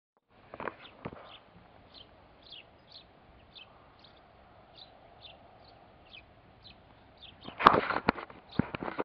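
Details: Eurasian tree sparrow (Passer montanus) gives soft, high chirps in a steady series of several per second, over a low hum, with loud knocks and handling thumps at both ends.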